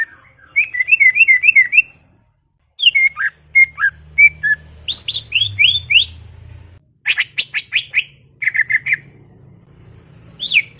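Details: Talkative greater green leafbird singing in a garden, delivering bursts of rapid rolling whistles, scratchy chips and falling slurred notes separated by short silences, with a low background hum.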